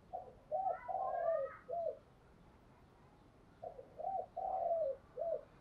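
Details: Spotted dove decoy calling to entice wild doves; two quieter four-note cooing phrases about three seconds apart, over a steady background hiss.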